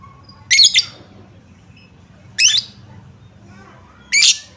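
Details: Lovebird lure sound meant to prompt reluctant caged lovebirds to sing: three sharp, harsh, high squawks spaced about two seconds apart over a low steady hum.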